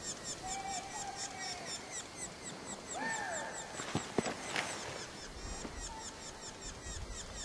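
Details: Red-naped sapsucker young calling while a parent feeds it, Premier Lake Provincial Park, British Columbia, recorded from a distance: rapid continuous high thin chattering notes, with several clear whistled notes from another bird and a few clicks.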